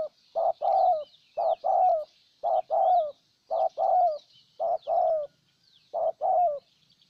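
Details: Luring a wild bird, a strong-cooing decoy spotted dove from Ninh Thuận, Vietnam, repeats rhythmic double coos, short then longer with a falling end, about once a second; small birds twitter faintly in the background.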